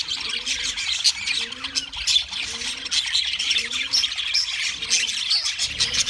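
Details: Flock of wild budgerigars keeps up busy, high-pitched chirping and squawky warbles, while a low, soft cooing phrase repeats roughly every second beneath the chatter.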